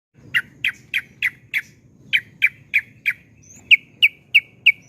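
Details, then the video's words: Yellow-vented bulbul in lively 'ropel panjang' style, meant as a lure to get other bulbuls singing: sharp separate chirped notes around three per second, a short pause midway, then a brisker run of bright clipped notes. "Kicauan Trucukan Gacor Suara ROPEL PANJANG MEWAH Ampuh UNTUK PANCINGAN TRUCUK LAIN AGAR CEPAT GACOR"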